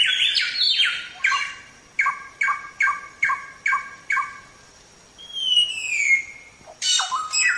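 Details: Samyong recorded to train songbirds: two bursts of slurred whistles, then six sharp stacked notes repeated at a steady pace, followed by a long falling whistle and a final burst of rich notes.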